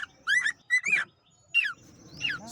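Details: Cockatiel calling: four short, bright chirps with rising-and-falling whistled tones, spaced irregularly over two and a half seconds, with a little low room noise between them.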